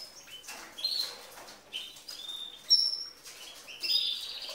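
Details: Female canary singing like a male, said to stimulate the males. High, varied phrases of clear whistled notes and buzzy short trills come in bursts about every second, with faint pauses between them and a quiet background.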